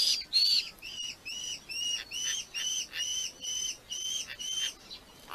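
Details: Red-footed falcons at a nest in Polgár, Hungary, with the family present, recorded by a live nest camera: about ten clear, whistled, slightly buzzy high notes repeated rapidly in a steady series, with one louder call at the start.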